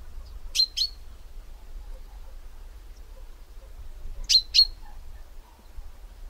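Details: Chaffinch call in two bursts: a clipped double chink, then a second pair several seconds later, both high-pitched and sharp with slight ringing tails, low hum beneath.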